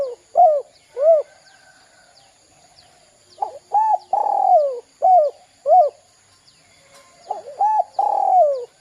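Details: Spotted dove calling as a lure to draw young birds into calling: repeated phrases of short hollow coos, each group ending in a longer coo that falls in pitch, the phrases returning every few seconds over a quiet hum.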